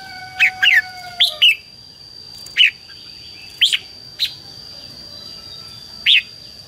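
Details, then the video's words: Red-whiskered bulbul fighting song (hót đấu) used as a lure for wild bulbuls and to excite birds in training; single and paired sharp chirps spaced one to two seconds apart over a constant high hum. "CHÀO MÀO HÓT GỌI BỔI CHÉ CĂNG ĐÉT QUÁ HAY - KÍCH CHIM NHANH CĂNG LỬA"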